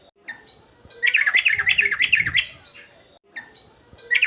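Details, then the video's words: Agitated male sooty-headed bulbul, a singing bird, pouring out a rapid, bubbly warble of slurred whistles for about a second and a half. A brief opening note comes before it, and a fresh burst starts near the end. "burung trucukan jantan emosi gacor"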